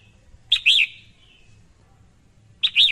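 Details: Female red-whiskered bulbul giving short, sharp chirped calls with a bright, slightly warbled twist, two calls spaced about two seconds apart, over a faint low hum.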